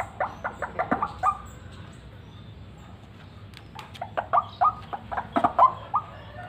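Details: Separate harsh, clipped notes from a white-breasted waterhen kept as a lively lure bird, coming in two quick series with a silent pause between them.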